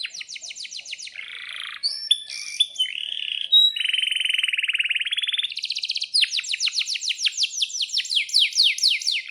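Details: Canary singing a long, vigorous song offered as a lure for other canaries: rapid repeated chirps, a buzzy rolling trill, a long even trill in the middle, then a rising series of sharp descending whistled notes.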